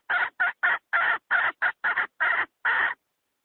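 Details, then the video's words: Domestic hen's cackle, used to attract wild fowl into snares. About nine hoarse, buzzy notes are delivered at an uneven pace, several slightly longer than the rest, and the series ends in silence. "Tiếng gà mái nhảy bổi nhất 2020!poj qaib seev tuaj ceev tshaj nawb...!"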